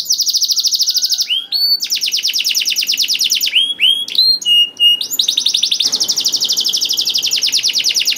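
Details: Canary in full song, meant to provoke canaries that hardly sing: long, fast rolling trills broken by a few sharp upward-swept notes and short whistles, then a trill resumes and runs to the end.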